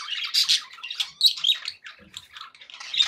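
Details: Budgerigars kept as pets chatter happily, a rapid jumble of harsh squeaks, chirps and short whistles packed close together with no real pause.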